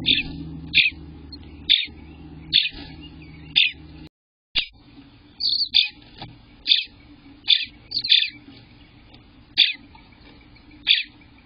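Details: Eastern bluebird young in the nest at 18 days, recorded June 24th, 2021, sometime between 6 am and 1 pm, chirp steadily, with high short notes arriving roughly every second, some doubled, over a low background drone.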